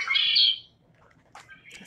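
A male Red-winged Blackbird gives a loud, harsh, buzzy trill lasting about half a second, followed by a few faint, scratchy notes.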